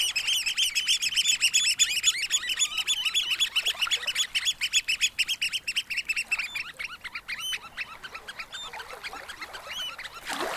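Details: Oystercatchers calling at Snettisham Beach in Norfolk on a spring evening: a fast chorus of high, sharp squeaking pipes from several birds that thins out toward the end, with calm water lapping softly on sand.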